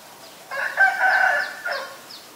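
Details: A common myna in Ubon Ratchathani, Thailand, on May 4, 2022, gives a harsh, throaty call lasting about a second, thin whistled notes woven through it, then a brief gurgling note.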